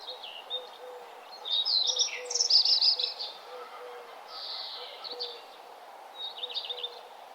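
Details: Birds singing at sunrise on a nature trail: a loud high warbling phrase, a drawn-out buzzy note, and short chirps, with a faint low repeated note behind.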